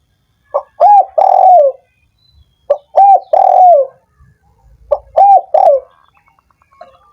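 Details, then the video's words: Three evenly spaced cooing phrases from a spotted dove, intended to stimulate doves that will not sing: a soft pickup note, an arched coo and a long hoarse descending coo each time, a faint chirp at the end. "suara PERANGSANG burung tekukur yang malas dan macet bunyi"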